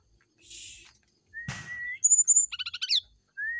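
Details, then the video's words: Brown-chested jungle flycatcher singing in the morning as a lure: a soft hiss and a thud, a level whistle, two high whistles, a rapid buzzy rattle, then one more rising whistle. "PANCINGAB SRDC NYULING DI PAGI HARI"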